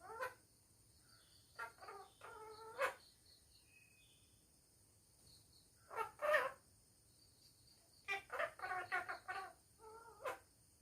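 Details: Pet parrot talking at home: short bursts of harsh, speech-like syllables with stacked tones in several groups separated by pauses, over a steady faint high electronic whine.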